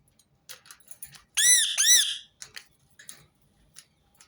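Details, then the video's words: Rose-ringed parakeet giving two loud, harsh screeching notes half a second apart, each arching up then down, amid faint clicks and soft scratchy sounds, played repeatedly to prompt other birds to sing. "أقوى صوت ببغاء درة متكرر | سيجعل طيورك تغرد دون توقف"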